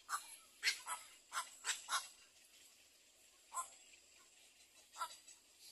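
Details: Little egret back at its nest caring for four chicks: a quick run of about six harsh, raspy calls, then two more spaced apart after a pause.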